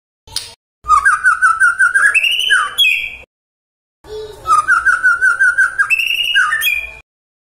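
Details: Murai song intended to make listening murai answer. Two near-identical loud phrases are separated by about a second of silence; each has a fast pulsing trill that rises into higher ringing whistles.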